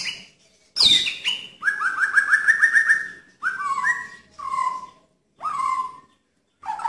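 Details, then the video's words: White-rumped shama singing its 'tembakan' (shots) style: a sharp high slur, then a fast stuttering series of clear whistled notes, followed by several separate downslurred whistles with short pauses between phrases. "Cukup 1 Menitan Saja Sudah Bisa Bangkitkan Kualitas Tembakan Murai Batu"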